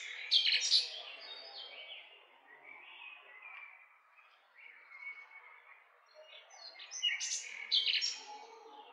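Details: Nightingale delivering loud high chattering phrases at the start and end, with quieter whistled and warbled notes running between them.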